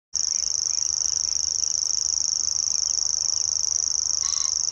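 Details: Grasshopper warbler singing at RSPB Middleton on 17 May 2021: one unbroken, high, insect-like reel held steady at one pitch for the whole stretch. A faint brief call from another bird is heard near the end.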